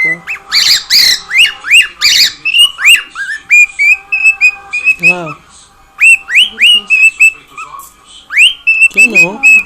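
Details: Cockatiel kept as a household pet, noisy and singing: rapid upswept chirps and flat whistles in quick bursts, one brief pause, and low wavering sounds at the middle and end.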